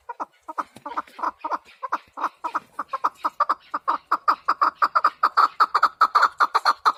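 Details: Chukar partridge calling in a rapid series of clipped chuk notes that start sparse and speed up, growing louder and denser toward the end.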